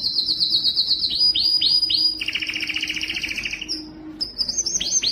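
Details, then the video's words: A canary sings a bright, high, rolling song, shifting from fast trills to descending swoops and buzzy rattles in quick succession. "canary singing"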